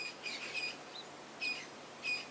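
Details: Red-billed Buffalo Weavers calling noisily overhead near a watering hole during an April 13 sunset safari drive: high, scratchy squeaks and chatter in three short bursts, about one every half to one second, over quiet background hiss.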